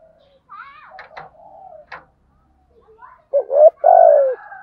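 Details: Spotted doves, male and female, cooing in the 'thổ thúc gù' style used to stimulate training birds. Faint scratchy sounds and soft low notes come first, then one loud hollow phrase of two short coos and a long falling one.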